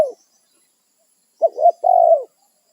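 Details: Single phrase from a wild, territorial spotted dove calling its companions: a short double coo rising and falling, then a sustained mellow coo that drops at the end, after the tail of an earlier note.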